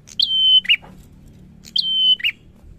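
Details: Two loud bar-winged prinia phrases in quick succession, each a high chip leading into a long even whistle that ends in a lower grating burst, over a soft low hum.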